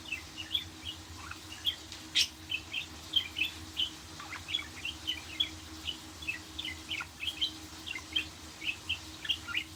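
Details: Chattering budgerigar warble: steady, rapid high chirps and squeaks, roughly three a second, with one sharp click early on, over a faint low hum.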